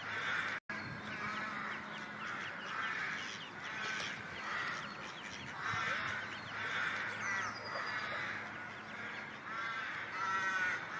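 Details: Ducklings calling, a sound used to attract ducks: a dense, continuous chorus of overlapping nasal calls, with thin high peeps rising and falling above them throughout and a brief dropout near the start.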